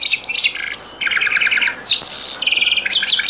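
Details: Dense European goldfinch song of the Beni Messous les avocats style, known as zaboka, from a very old recording: continuous fast liquid twittering with trilled runs and short buzzy rattles, almost without pause.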